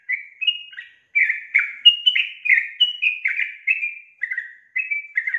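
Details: Chattering series of bright, slurred chirps from a female sooty-headed bulbul luring a male into song, notes tumbling up and down almost continuously with two short gaps, no other sounds.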